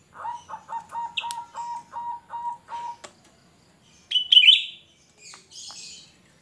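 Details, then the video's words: Cucak rante with a shrill song used as a lure for other birds: a quick run of about eight even, clipped notes, then a pause and a short, piercing burst of higher squeaky notes. "Cucak Rante gacor ‼️Suara melengking Cocok untuk Pancingan cucak Rante"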